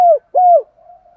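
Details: Spotted dove calling to draw in wild doves. Two loud, low, hollow coo notes, each falling slightly at its end, are followed by a faint trailing hum.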